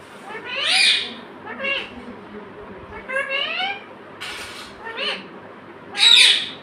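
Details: Pet parrot, described as talking and saying "mummy" and "papa". Mixes loud, shrill squawks with nasal, voice-like phrases of stacked harmonics and a hissy burst, all within a few seconds.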